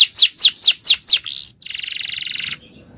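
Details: Male canary singing a long, powerful training song in the Indonesian cengkok style: five loud descending whistled swoops, a short slur, then a dense buzzy trill.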